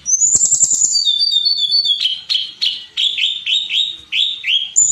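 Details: Blood-breasted flowerpecker song recorded as a training track for songbirds: high, thin whistled notes, first a rising slurred phrase, then a run of short clipped chips and downward-flicking notes repeated about three times a second, with faint wing flutters early on.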